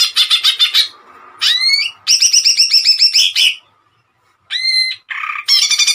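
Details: Greater green leafbird singing gacor with tembakan shots, a recording for training other leafbirds: quick staccato trill bursts alternating with rising slurred whistles, rapid chattering series, a two-second lull, then paired whistles and buzzy notes.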